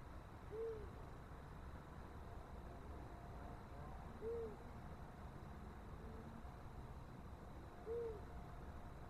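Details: Long-eared owl giving single soft, low hoots, one roughly every three to four seconds, over a steady low rumble; recorded 18 March 2024, the owls seeming interested in the nest.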